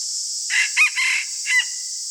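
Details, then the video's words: Red junglefowl decoy bird crowing in the morning: a short, hoarse crow broken into three or four segments over about a second, over a steady high insect drone. "ต่อไก่ยามเช้าไกหมาน ຕໍ່ໄກ່ຍາມເຊົ້າໄກ່ຫມານ"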